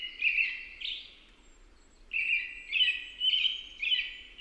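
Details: An American robin sings a pair of whistled phrases, pauses about a second, then runs four quick warbling phrases together, with quiet noise beneath.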